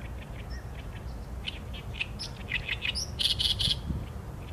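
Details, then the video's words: Song of an Oriental reed warbler captured with a Sony A7M3: soft scattered clicks rise into harsh churring notes and end in three loud grating, buzzy bursts, over faint low-frequency noise. "개개비 - Acrocephalus orientalis - 大苇莺 - bird song"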